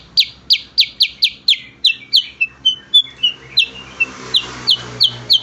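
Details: Training song of cucak kurincang, a kutilang-family bird: a burst of quick sharp high chips, a short run of softer thin whistles, then evenly spaced loud chips again over faint hum.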